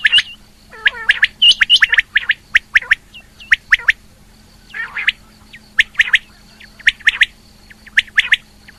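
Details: Rain quail, a female calling. Dense, overlapping chirps and squawks come in tight bursts, some notes sweeping downward, and are repeated across the stretch over a low background hum.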